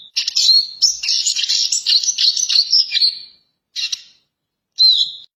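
A Eurasian siskin gives a fast, high twittering run of about three seconds, then two brief bursts, the last ending on a thin, drawn-out note.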